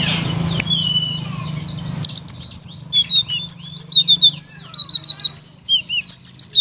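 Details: Blue-crowned laughingthrush singing, used as a provoking master song for silent shamas, magpie-robins and leafbirds; after a soft start, a dense run of sharp high chirps and short slurred whistles repeats rapidly against a constant low drone.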